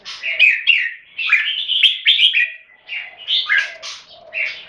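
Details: Caged Red-whiskered bulbul kept Singapore-style, singing in a competition between two birds. Bright, warbled, chattering phrases come in bursts of about half a second, separated by short pauses, with a faint low hum underneath.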